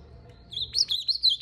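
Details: Ultramarine grosbeak (azulão) male in fighting mood, singing: after half a second of quiet, a rapid warbled phrase of high slurred whistles starts and runs on, rising and falling in quick loops.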